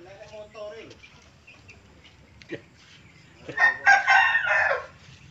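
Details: A crowing hen: a man talks quietly at first, then, after a pause, comes a loud, hoarse, broadband crow lasting just over a second. The recording was made from afar.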